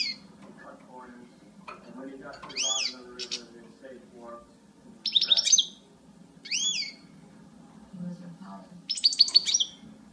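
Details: Female European goldfinch calling: short, high, bright chirps with ringing overtones come in small bursts every couple of seconds, with a soft low hum and faint murmuring between them.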